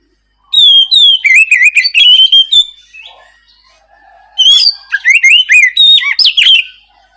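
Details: Oriental magpie-robin in clear, open song used to prompt a silent bird to reply; two long bursts of loud, fast whistles and twisting warbles separated by a pause of about two seconds.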